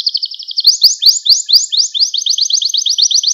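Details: Gloster canary song used to excite and train other canaries, a rapid high rolling trill of rising swept notes, repeated about twice per second, speeding into a steady bright chatter.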